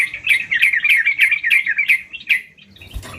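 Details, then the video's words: Sooty-headed bulbul in full voice, giving a quick string of short, bright, downslurred notes about three per second. The series stops after two and a half seconds, followed by a soft knock. "Burung Trucukan Gacor"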